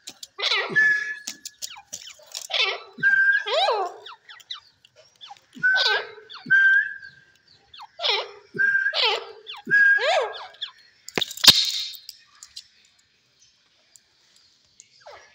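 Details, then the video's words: Irani Dakni teetar, a partridge, calling repeatedly, roughly every one to two seconds, with rasping phrases mixed with short flat whistled notes, ending in a brief loud noisy burst then near silence. "Irani Dakni Teetar |Teetar Sound |Teetar ke Awaz"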